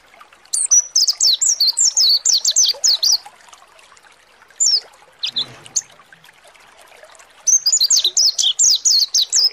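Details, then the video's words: Mountain white-eye (pleci monty) lure song for provoking singing; a rapid series of high, falling whistled chirps, then a quieter gap with a few isolated notes and a faint trickling sound, then another fast burst. "PANCINGAN PLECI MONTY NGALAS BUKA PARUH"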